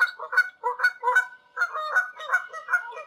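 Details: Honking of wild Canada geese flying high overhead in Canada, a quick series of harsh two-part honks about three seconds long, overlapping as several birds call together.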